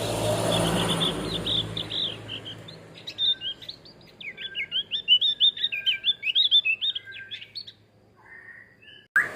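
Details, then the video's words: Male Javan grey-throated white-eye in full song, used as training material for other songbirds; a rapid chattering stream of sharp, high, up-and-down notes for about five seconds after a noisy start, then a few lower buzzy notes. "Terapi kicau opior Jawa Jantan"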